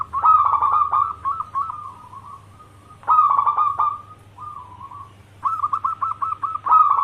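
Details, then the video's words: Three song phrases from a local zebra dove used to lure other doves into answering. Each phrase starts with a loud rolling burst and trails into quick repeated coos, spaced about two to three seconds apart, over a low electrical hum. "Pancingan perkutut lokal gacor suara cocok untuk pancingan semua jenis burung kutut dirumah"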